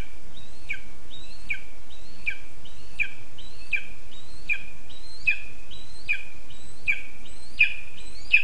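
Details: Food-demanding Lesser spotted eagle chick in its spruce nest, Zemgale, Latvia, 20 August 2024, gives a long, steady series of eleven piercing two-part whistles, an upward slur ending in a sharp drop, close to one each 0.7 seconds.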